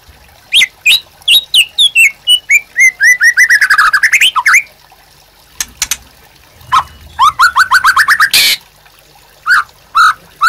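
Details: Captive white-rumped shama in full song, used as master song for training birds: rapid sweeping whistles and a descending then rising rolling trill, a pause, then another quick rising trill and a few separate whistled notes.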